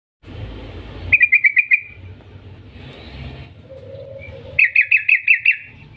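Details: Yellow-vented bulbul lure recording in the long 'ngetir' style meant to make bulbuls sing: two bursts of rapid, evenly pulsed chirps near mid-high pitch, separated by a hissy rumbling noise like passing traffic, plus a brief lower hum.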